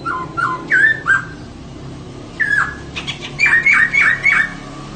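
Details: Female laughingthrush singing to prompt males into song: short clear whistled notes slurring downward, then a quick run of four or five rising-falling whistles, with soft harsh chatter in between.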